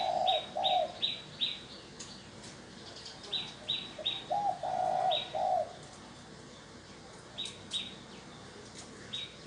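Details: Spotted dove cooing as a decoy to bring in wild doves, low hollow coo phrases recurring through the recording, interleaved with bursts of short, high, evenly repeated notes from another bird.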